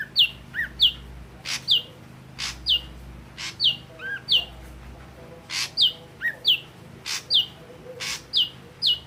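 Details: Singing Ashy drongo with red eyes: a lively run of quick, bright whistled downslurs in pairs and triplets, mixed with sharp clicking rasps and occasional lower curled notes, over a low hum.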